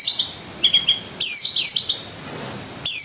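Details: Cendet, the long-tailed shrike, in full gacor song: a few clipped chirps, then bright descending slurred whistles in quick pairs, with a steady faint high hiss behind.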